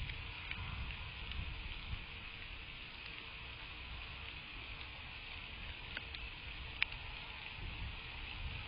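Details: Even hissing background noise with low rumble and a few faint ticks, without any animal calls.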